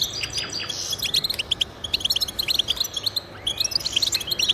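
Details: European goldfinch twittering to spur pet goldfinches into song: quick sequences of bright, tinkling chirps and short rising slurs, repeated in rapid, uneven bursts.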